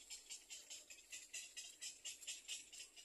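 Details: Little egret chicks in a nest give a dry, rattling chatter of high, hissy bursts, about two to three a second, as they beg for food.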